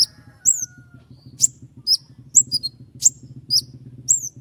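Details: Singing common iora delivering sharp 'shot' phrases in a long roll, used as a master recording for other songbirds: piercing high downslurred notes repeated about twice a second, low buzzing hum behind.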